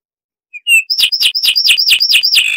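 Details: Zapata wren of Cuba: a few thin introductory notes, then a rapid series of about nine loud up-slurred whistles repeated several times a second.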